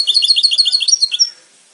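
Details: Goldfinch song: a fast series of high, evenly spaced liquid chirps, about a dozen in just over a second, ending abruptly into silence.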